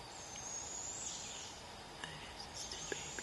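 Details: Barred owlets out of the nest for about a week, fed prey by a parent: one long, thin, high hissing screech drawn out for over a second, followed by scattered clicks and taps amid insect hum.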